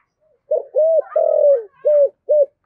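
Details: Spotted dove, described as a thổ-style voice (giọng thổ) bird used as a decoy caller: low, hollow coos in a run of five notes, a long middle note and short clipped notes at the end, clean and close.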